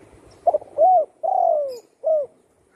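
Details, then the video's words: Close, clean phrase from a spotted dove kept at home after its wing was broken by a shot: stuttered short note, arched coo, long falling coo and a crisp final coo. "burung tekukur,yg dulu di tembak orang kena sayapnya patah,kini sudah gacor di Rumah"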